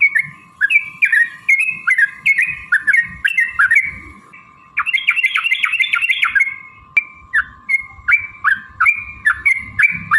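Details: Provoking song of a sooty-headed bulbul, meant to make other birds answer. Rich, gurgling phrases are repeated at a brisk pace, with a dense rapid burst in the middle, then sparser fluted notes. A continuous low hum runs throughout.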